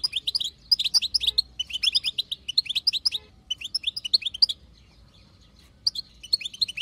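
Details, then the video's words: Batbata from a wild female European goldfinch, meant to push a male into singing; rapid twitter bursts for four seconds, then about a second and a half of near silence, then a final burst. "بتبتة حسون خلوي تهبل الحسون تخلي يغرد غصب عنو"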